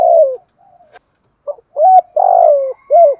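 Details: Spotted dove kept as a decoy for training and luring, calling in 'thúc gù', 'gáy gọi' and 'bài bản' styles; soft low coos, then a burred rolling middle note between two clear hooting notes.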